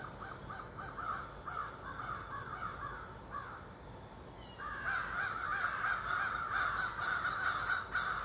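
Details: Over thirty ravens calling from trees across a street in the morning: a softer, steady run of harsh repeated caws swells after about four seconds into a loud, dense chorus of overlapping croaking calls.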